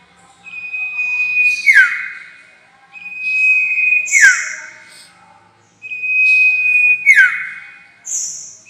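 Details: Sirtu lure call used for bird trapping: three cycles of a held, steady whistle dropping into a quick falling slur, repeated about every two and a half seconds, with short buzzy high notes after.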